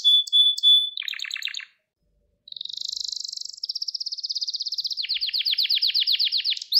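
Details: Gloster canary singing a training song to excite males and teach young birds: a level whistle and brief rattle, a pause, then a smooth rolling trill changing into a faster series of downslurred notes.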